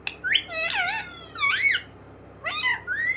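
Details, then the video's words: Pet parrot (mitthu) mimicking "mummy papa": bent, wavering voice-like syllables that rise and fall, in three groups with brief pauses, over a low background hum. "मम्मी-पापा बोलने वाला सुपरस्टार मिट्ठू || 100% असली बोलने वाला मिट्ठू | Viral Parrot Talking Video"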